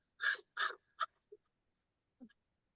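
American Crow giving two harsh, hoarse caws in quick succession, followed by a shorter clipped note and a few faint soft sounds.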